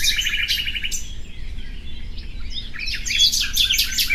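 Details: The common nightingale delivers a quick series of evenly repeated chipping notes. After a brief pause come scattered varied whistles, then a dense burst of sharp, rapid notes and a clear pure whistle. A low constant hum sits beneath.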